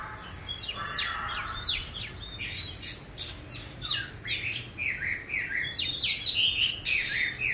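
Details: Oriental magpie-robin youngster learning to sing, delivering rapid chirps and slurred whistled notes about three per second, irregular and varied, with a few sharp high squeaks.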